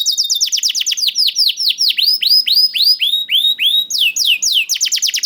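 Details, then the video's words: Canary song from a young bird, played to encourage silent canaries to sing: a long run of clear whistled downslurs, about four per second, slowing into broader sweeps then speeding up again. "PANCINGAN KENARI PAUD TERBUKTI AMPUH MEMANCING KENARI SUSAH BUNYI IKUT GACOR"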